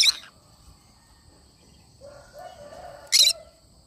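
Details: Cinnamon green-cheeked conure screeches: a harsh burst at the start and another about three seconds later, with a soft lower warbling murmur in between.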